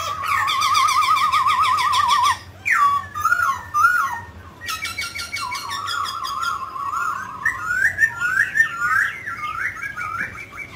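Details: Mutant grey laughingthrush singing while dancing: a loud rapidly trilled whistle, then rich, buzzy harmonic phrases and a run of wavering, slurred whistles falling and rising, with a faint low hum beneath.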